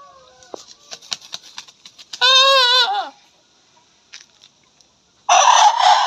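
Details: Young Shamo/Aseel-type rooster that has just started crowing, squaring off with others in the run: a short, wavering crow under a second, preceded by scattered clucks and clicks, followed later by a harsh noisy burst.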